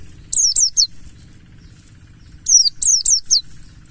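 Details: Wild-type 'ngalas' Pleci Buxtoni, a mountain white-eye lure for prompting song: a run of three piercing, descending notes, a pause of about a second and a half, then four more in quick succession, with steady high-pitched hum behind.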